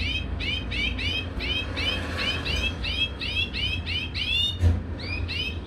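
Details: Rhythmic, evenly spaced double-toned chirps from a caged European goldfinch pair at mating, about two notes per second for several seconds, with one soft knock midway.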